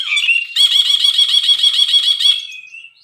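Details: Brinji (bulbul) on a tutor track: a short slurred whistle, then a sustained harsh, rapidly pulsed rattle for nearly two seconds, ending in a thin fading whistle.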